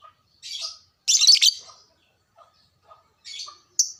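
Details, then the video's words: Lovebird chirping as a lure to stir caged lovebirds into arousal and frequent singing: short harsh, high-pitched chirp bursts, one loud burst near the middle, with quiet gaps and a few faint notes between. "sekali dengar birahi dan emosi langsung naik agar rajin bunyi,, pancingan burung LOVEBRID"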